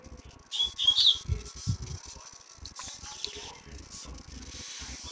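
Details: A young captive-bred double-collared seedeater, being selected for song, gives a quick burst of bright, high whistled notes with a short trill, then quieter twittering under low background noise and thumps; described as a good song.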